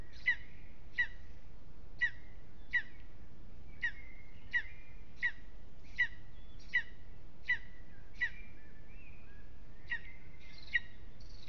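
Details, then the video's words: Lesser spotted eagle at its nest in an aspen at Aizkuja, Latvia, restless in the evening, gives sharp, yelping notes repeated about every three-quarters of a second over steady low background rumble. "Lesser Spotted Eagle"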